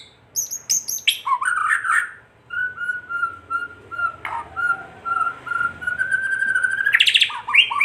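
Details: Kretekan of a white-rumped shama, used to excite other shamas: a few sharp high notes, then a long, steady whistled tone gradually rising, ending in abrupt chips, over a faint hiss.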